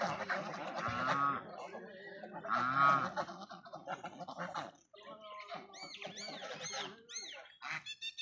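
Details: Geese on a farm honking in two loud nasal bursts, followed by thinner high arching chirps from other birds, with people talking and laughing nearby.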